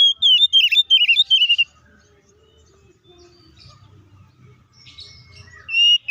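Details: Oriental magpie-robin (kacer) with a fierce fighting song to provoke other kacer: a rapid string of sharp, dipping whistled notes, then near quiet with faint low rumble and distant chirps before a final whistle.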